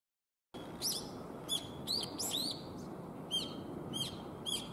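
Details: Young brown-eared bulbuls calling against each other in a lively spring-to-summer calling contest; short, shrill, sharply falling notes with bright overtones, given in irregular bursts about every half second to second over a soft background hiss.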